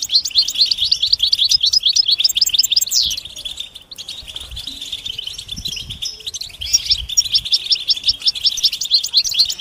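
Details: Goldfinch mating calls used to prompt a quiet male into song; busy, high tinkling chatter with rapid twittered phrases, a short lull in the middle, then renewed fast chirping to the end.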